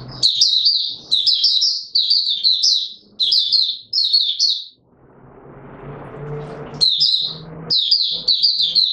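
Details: Oriental white-eye singing in courtship mode on 25 January 2022: repeated high tinkling phrases about a second long, roughly once a second, broken by a quiet stretch of low noise and a faint hum.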